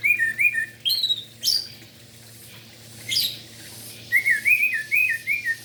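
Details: Morning gacor song of an orange-headed thrush, played to stir silent thrushes and spotted young birds into singing: short clear whistled phrases with wavering slurs, a few sharp upward squeaks, then a quick whistled string after a pause.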